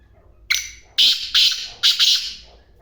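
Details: Loud grating call of a black francolin, five coarse, high notes: one, a short gap, then two doubled notes, the whole phrase lasting around two seconds against near silence.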